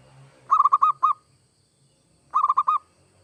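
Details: Zebra dove, local or Bangkok type, kept to spur other doves into singing: two bursts of about five quick, low cooing notes, the last slightly apart, about two seconds between phrases, with a clean quiet background.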